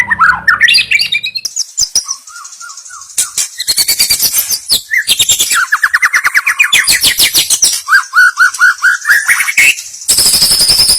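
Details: Loud, busy white-rumped shama song as training audio: rising whistles, long runs of rapid clicking and rattling notes, and a stretch of repeated upslurred whistles before a final high, buzzy trill.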